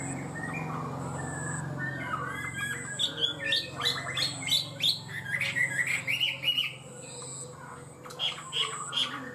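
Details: Chinese hwamei in high song, quick to start and stable; a low hum and quiet rustling at first, then bursts of bright whistled and chipping notes in quick irregular clusters from about three seconds on.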